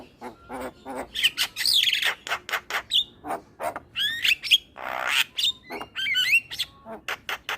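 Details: Male Javan myna song used to draw in starlings: rapid clicking notes broken by high squealing whistles and a broad harsh rasp, then quick upward whistled slurs.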